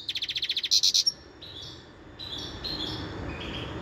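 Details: Wild European goldfinch, 2021: a quick series of about fourteen high, rattling chirps in the first second, then only faint, thin notes over steady background hiss.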